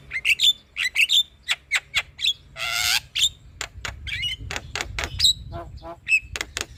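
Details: Male black-winged myna in song to provoke a silent bird: choppy sharp calls with ringing high whistled tails, a harsh grating squawk midway, then more clipped notes and whistles.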